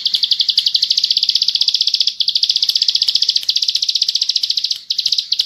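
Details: Full 'bren' song of a bar-winged prinia, ciblek sawah, intended as a tutor recording. Dense high chirps pour out almost continuously at about ten per second, interrupted only by two very short breaks.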